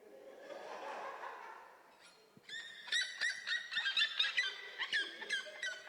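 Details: Red-legged seriema singing, played in a recorded clip during a talk, its call likened to laughter: a fast run of loud, yelping notes, almost three per second, after a murmur of voices and room noise.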